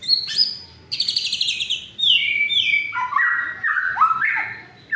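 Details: White-rumped shama song played to provoke reluctant or mute shamas into singing: a varied run of whistled phrases, starting high and rich, then descending through clear slurred notes and buzzy rattles.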